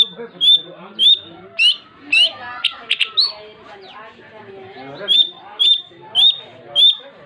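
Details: Long-tailed shrike (cendet) in 'gacor' song: spaced clear upslurred whistles, a burst of harsh scratchy chatter in the middle, then four more evenly spaced whistles.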